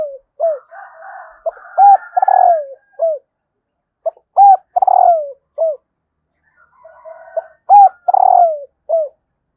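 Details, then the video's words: Calling female spotted dove trying to stimulate males. The phrase repeats three times: short hollow coos, arched notes, then a long downward-sliding coo. Softer rasping murmurs fill the gaps between phrases. "Tiếng cu mái kích trống"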